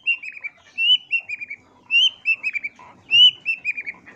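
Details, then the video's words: Long-tailed shrike singing to provoke rival shrikes: a clear whistled phrase of slurred, slightly falling notes, repeated three times with brief gaps. "Cendet LAIN gak bisa DIAM dengar SUARA Pancingan Pentet GACOR yang satu ini"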